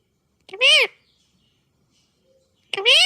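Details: A pet Indian ringneck (rose-ringed parakeet) says two short, high, nasal words, likely "Peekaboo!" and "What are you doing?", each swooping up then down in pitch, about two seconds apart, with quiet between them.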